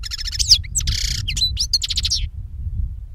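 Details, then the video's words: Goldfinch song for luring birds to capture: a dense burst of rapid high twittering, a nasal buzzy note and tinkling trills, over a continuous low background rumble. "Chardonneret qui chante - Pour capture d'oiseaux"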